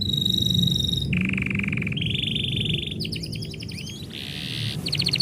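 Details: Canary singing as its owner is about to leave: a high steady whistle, two buzzy rolled trills, a burst of rapid sweeping notes and another trill, over low background rumble.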